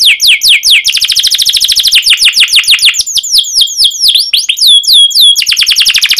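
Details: Energetic canary song meant to coax young canaries into singing: a steady stream of sharp, falling chirps that quickens into a rapid roll, mixed with whistled slurs and twittering notes.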